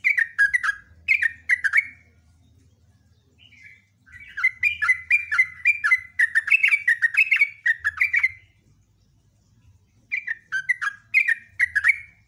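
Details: Loud sooty-headed bulbul in long rapid song. Bursts of fast, chattering whistled notes come in three bouts separated by short pauses, over a faint low humming background.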